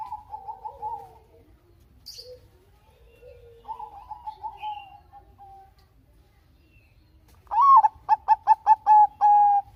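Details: Bangkok-type zebra dove song used as a lure to prompt lazy doves to sing: soft trailing coos first, then a loud burst of about seven quick, evenly spaced clipped notes ending on a longer tone.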